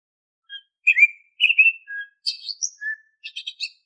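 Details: Varied whistled song of an Oriental magpie-robin (kacer), played as a lure to make caged birds sing: a string of short slurred whistles, one low pure note, then quick high chattering notes, each separated by brief pauses. No other sounds.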